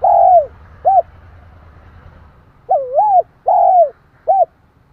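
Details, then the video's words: Spotted dove calling to provoke a rival dove: a drawn coo and clipped note, a pause, then a full three-part phrase of a wavering coo, a sustained falling coo and a short final note, over low rumbling background noise. "Tiếng chim cu gáy kích bổi, tiếng gáy nghe ức chế."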